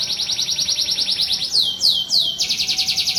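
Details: Canary tutor song meant to train canaries to sing and roll: a fast, even high roll of repeated notes, then three loud downward-sweeping whistles and a sharp, steady rapid trill.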